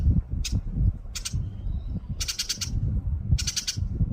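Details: New Holland honeyeater giving short bursts of rapid, harsh chattering notes, four clusters within about four seconds, each a quick run of sharp repeated ticks, over constant heavy low rumbling noise from wind or handling.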